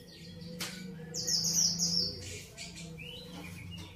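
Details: Grey-cheeked bulbul (cucak jenggot): a loud, sustained, high, buzzy-rasping note held for about a second, then a few short thin chirps, over a steady low hum.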